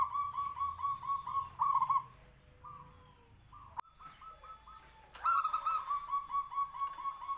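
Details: Zebra dove, a local Noyorono katuranggan bird with a big voice. It gives repeated phrases of rapid burry cooing notes, with a quieter gap midway and a sharp click before the cooing resumes more loudly.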